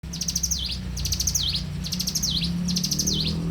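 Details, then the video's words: Bar-winged prinia singing lively in the morning: four quick phrases of rapid, high ticking notes, each closing with a dipping, rebounding slur, coming about once a second over a low steady hum. "suara alam cigun gacor dipagi hari"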